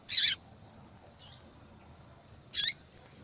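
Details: Female double-collared seedeater calling repeatedly, a call used to excite and stimulate singing in males that have stopped singing. Two loud, brief, very high sharp notes about two and a half seconds apart, with a faint softer note between them over quiet background.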